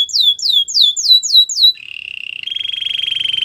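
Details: Canary training song: six quick descending whistled sweeps, then a rapid trill that steps up to a steady, sustained high rattle.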